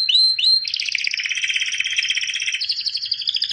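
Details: Albino white canary in song, two rising whistled notes opening into a dense, rolling rapid trill that shifts pitch midway, loud and continuous throughout.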